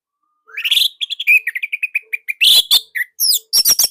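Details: Orange-headed thrush from Indonesia, a nonstop singer used as a master song for training young birds; a rising whistled slide, then rapid repeated high chirps and scratchy buzzy bursts, loud and fast throughout.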